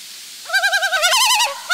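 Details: Loon of a nesting pair with a chick on the last day at the nest; a quick, loud, rapidly wavering call of pulsing notes, rising in pitch midway, followed by a brief second start.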